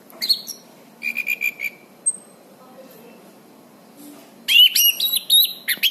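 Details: Orange-banded thrush in lively song, a master recording for training birds: short chirps, a run of repeated whistles, a pause, then a loud, fast sequence of high, sliding whistled notes.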